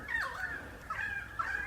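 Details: Pied currawongs in the Dandenong Ranges outside Melbourne, Australia, about 30 birds messing around in the tops of messmate eucalypts, calls carrying from about 200 metres. Slurred, ringing whistled notes rise and fall in quick succession.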